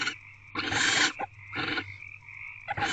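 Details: Barn owl at its nest box at night, 12:33 am on 2 February 2024, a day after the first chick hatched; harsh, noisy screeching bursts of about half a second, repeated with short gaps, over a steady faint hum.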